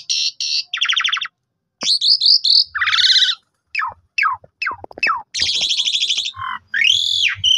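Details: Black-collared starling song used to provoke other starlings: buzzy trills, a string of whistled upslurs, sharp descending chirps with clicks, then a long harsh rattle and arched whistles, soft low thuds underneath.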